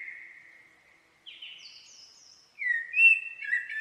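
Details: Singing common blackbird: a fading low whistle, a thin higher strand, a pause, then strong sliding fluted notes that dip and rise at the end.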